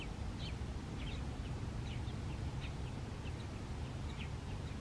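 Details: Purple martin chatter at Marymoor Park, Redmond, Washington, US, on July 25, 2021: faint, high, scratchy chirps scattered in quick bursts over a steady low rumble of wind or distant traffic.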